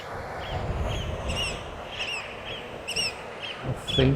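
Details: Several Eurasian oystercatchers at Orre beach, south-western Norway, late evening around 8:30, about 15°C, mob a drone with loud, sharp piping 'kleep' alarm notes, about two a second, over wind rumble, motor hum and brief speech.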